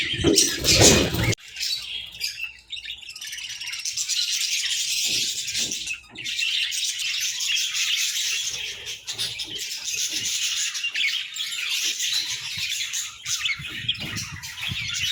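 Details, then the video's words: Budgerigar pairs chattering: a loud, harsh burst opens, then quieter, steady high warbling and rapid chirps continue with occasional soft pauses and faint low bumps. "Sweet Budgie Conversations"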